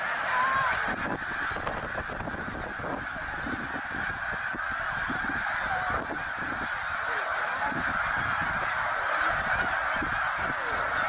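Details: A huge flock of migrating snow geese, tens of thousands, at a stopover at Middle Creek, Pennsylvania, in 2023, gives a steady roar of overlapping nasal, high-pitched honks and yelps with no gap between calls.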